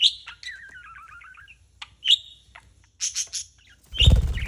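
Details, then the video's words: On July 4 a playing parrot gives a high chirp, then a long stepped trill, isolated clicks and chirps, ending in a loud low thump. "Bird Playing with Chirping Sounds"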